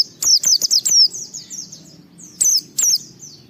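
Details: Short burst of white-eye ngalas song, used to set other white-eyes singing: a quick string of sharp descending chirps, a softer twittering pause, then two more strong notes.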